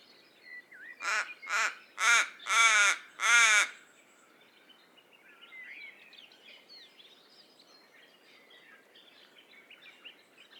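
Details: Raven delivering a quick series of five harsh caws that grow louder, followed by several seconds of faint chirping from other birds.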